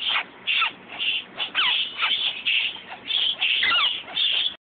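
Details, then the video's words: Five captive Yellow-shafted Flickers in a bird room give harsh, raspy buzzing bursts, about two a second and unevenly spaced, some ending in a short downward slur. "yellow shafted flickers"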